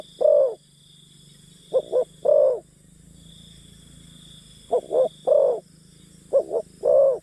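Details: Captive decoy spotted dove luring forest birds, repeating its mellow coo phrase several times: paired short hoots then a fuller drawn-out croo, phrases spaced by pauses of one to two seconds, faint constant high hum in background.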